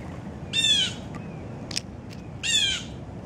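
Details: Two loud, raspy, slurred screams about two seconds apart come from Blue Jays visiting a feeder for peanuts at breakfast in an oak tree, in a group of about 14 adults and young, with faint clicks between.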